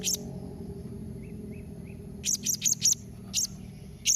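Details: A blue-crowned hanging parrot calls in the nembak mbeset style to get other parrots to answer. Harsh, high, clicky shrieks come singly and in a quick run of four, with a few soft lower chirps in between.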